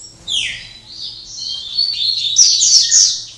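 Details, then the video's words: Caged Double-collared seedeater singing in late afternoon after a full day of song: fast, dense high twittering run of slurred and buzzy notes, rising into a bright trilled ending. "Coleira cortando canto Máquina (Final de tarde depois de dar show dia inteiro)"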